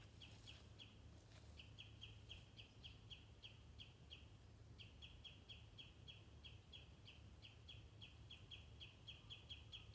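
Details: Adult common redshank with chicks at Stornäset, Alnö, Sweden, 13 July 2019, scolding a sparrowhawk that landed nearby; rapid, insistent series of short piping notes, steady and unbroken for the whole stretch, with wind rumble underneath.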